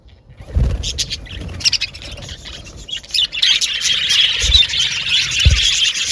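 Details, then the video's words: After a near-silent start, male budgerigars in an aviary break into scattered chirps, then a dense high chatter of many birds from the midpoint, punctuated by a few dull low knocks. "Beautiful budgies chirping sound"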